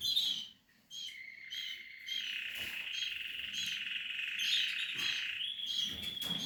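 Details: Canary nestlings of the Portuguese harlequin breed giving a high, drawn-out whistled note that runs for several seconds, overlaid with thin chirps and a short break near the start.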